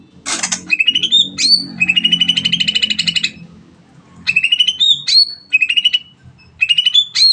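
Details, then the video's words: Greater green leafbird delivering long 'nembak' song to encourage other birds to sing: a harsh burst, then rapid high trills broken by upward-flicked whistled notes, repeated in short phrases with gaps, faint low hum beneath. "CUCAK IJO NEMBAK PANJANG PAS BUAT MERANGSANG BURUNG LAIG AGAR CEPAT BUNYI"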